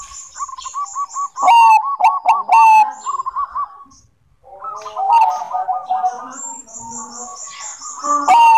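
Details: Bangkok-type zebra dove in full song: runs of quick rolling coos, mixed with loud chirps and a high thin twitter from other caged birds, with a brief pause midway.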